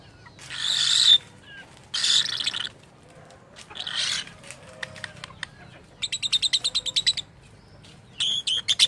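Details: Lovebird said to imitate human speech, giving strange harsh hissing bursts of about a second each, then a fast series of rhythmic ticking chirps and a final raspy chatter.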